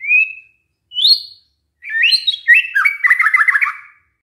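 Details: A white-rumped shama sings as a lure to draw answers from other shamas. Two separate clear whistles, the second higher, are followed by a busy chattering phrase of quick slurred notes and a buzzy rattling trill.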